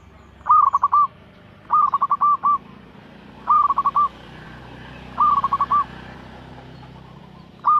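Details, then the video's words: Zebra dove of local stock (perkutut lokal) singing regularly as a lure for other doves: repeated phrases of one bright note followed by three or four fast, evenly spaced coos, roughly every two seconds. "TERATUR PERKUTUT LOKAL GACOR SUARA TERATUR PANCINGAN TERBAIK"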